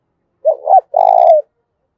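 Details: Spotted dove with a 'thổ' voice style, cooing to provoke fighting: a short two-part wavering coo, then a longer, steady, vibrating low coo, the whole phrase lasting about one second, with nothing else heard.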